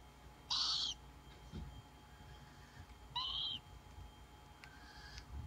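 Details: Tropical screech owl chicks, hatched on 14 and 16 June 2017, giving two harsh, hissing screeches about two and a half seconds apart, each roughly half a second long, over a faint steady hum.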